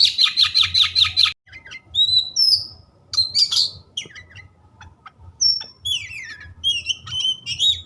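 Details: Kacer, the white-rumped shama, in lively varied song: a fast rattled series of about nine pulses, then clear whistled slurs, buzzy rising notes and quick chirps, phrases pouring out with short gaps over a steady low hum.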